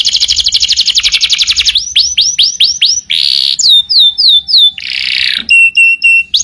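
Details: Canary singing for a training master recording: fast buzzing trill, then a run of swooping upslurred whistles, harsh rasping bursts and repeated sharp chirps, varied phrases in quick succession.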